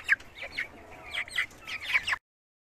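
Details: Caged Cochin chickens and roosters on a farm give rapid, sharp clucks and short squawks in uneven bursts, several birds overlapping, before the sound cuts off abruptly.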